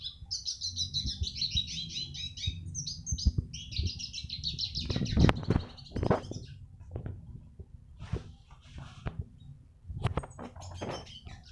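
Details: Eurasian siskin song used as a tutor recording for training other birds: high, fast twittering trills and chatter during the first four seconds, followed by loud low thumps, knocks and handling noises with scattered brief chirps.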